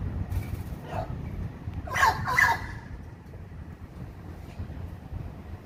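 A blue-and-yellow macaw gives two loud, harsh, raspy squawks in quick succession, after a fainter one, over a steady low rumble of background noise.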